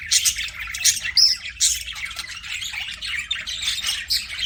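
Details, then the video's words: Pet budgerigars chirping: dense, overlapping chatter of scratchy high squawks and short warbling notes, with brief sharp chirps standing out every half second or so. "CUTE PET BUDGIES"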